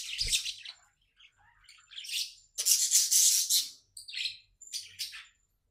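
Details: Pet budgie in a happy mood chirping loudly: bursts of harsh, raspy chatter, the longest lasting over a second, broken by short pauses and a few clipped squeaky notes.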